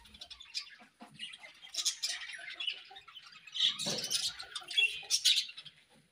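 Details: Morning chatter of budgies: a stream of fast, high twittering with buzzy, scratchy chirps that rise in intensity toward the end. A short lower rustle appears midway.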